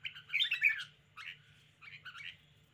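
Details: Red-whiskered bulbul in a cage, displaying its spirited manner: one loud, rich bubbling phrase, then two softer slurred calls, over a low droning hum.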